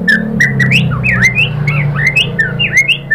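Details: White-rumped shama song played as a lure to provoke singing: varied whistled phrases sweeping between mid and high pitch, slurred and rising notes in quick succession, over a steady low hum.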